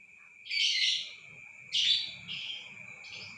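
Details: Lovebird calls played to stir another lovebird into long trilling (ngekek): quieter, harsh, raspy chatter in three bursts, the first two about a second apart, over a constant high tone and a faint low background murmur.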